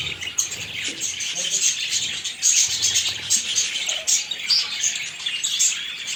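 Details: Budgerigars, also called parakeets, filmed close up in captivity; a dense, continuous chatter of high warbling chirps and squeaks from several birds, with soft low murmuring underneath.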